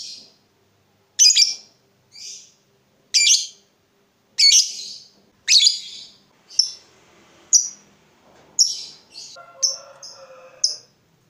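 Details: Lovebird giving shrill, scratchy chatter bursts as a lure to make other lovebirds trill at length: about a dozen short high squeaky notes at uneven intervals, later mixed with faint lower whistled tones.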